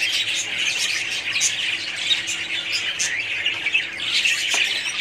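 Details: Budgerigars massed in a colony, their high twittering and squawking blending into a steady noisy chorus with occasional sharper notes standing out.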